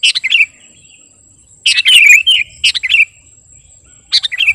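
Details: Sooty-headed bulbul singing a master song for luring or training birds: short phrases of sharp chirps running into a slurred falling whistle, given three times with pauses of over a second between, over a faint high hum.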